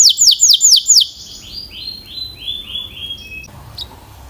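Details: Belgian canary singing: four loud, high, sweeping syllables repeated quickly, followed by a run of softer descending notes, then near silence.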